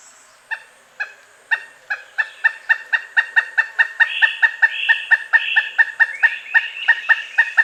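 A Pileated Woodpecker gives a loud, ringing series of 'kuk' notes. They start at about two per second and quicken to about four per second.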